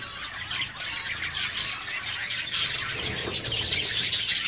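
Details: A flock of zebra finches in an aviary chatters constantly with overlapping high, nasal beeps and toots, several each second, growing busier toward the end.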